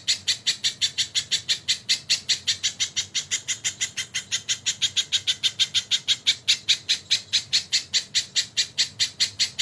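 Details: Crested jay heard on a tutor recording with kingfisher call fills, a continuous rapid sequence of grating, squawky notes, close to five each second, steady in loudness throughout.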